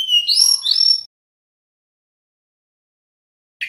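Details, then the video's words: Male little pied flycatcher singing in the nyeklek style, used as a lure to make other birds respond: a one-second burst of thin, high whistled notes sliding up and down, then silence and a faint final note. "Suara Sikatan Bambu Jantan NYEKLEK"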